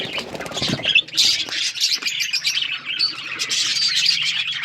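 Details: Budgie flock on February 18, 2024, with continuous bright chirping and warbled chatter from several birds over a steady low hum, plus a few lower thuds near the start.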